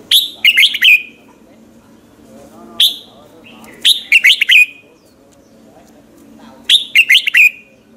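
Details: Morning song of a red-whiskered bulbul, used as a lure to spur other bulbuls into competitive singing; bright phrases of three or four sharp, falling whistled notes, repeated with single chirps between them over quiet background.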